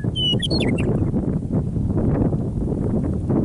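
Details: Near Michichi Dam in Drumheller, Alberta, Canada, a meadowlark sings on the prairie on an early spring evening after winter: a brief, bright gurgling warble of quick whistled notes at the start, followed by wind noise.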